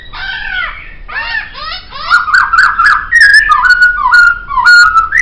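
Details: Laughingthrush singing a master-track song: curved whistled notes in quick sequence, then a run of loud, bright, clipped phrases near one pitch, delivered about twice a second.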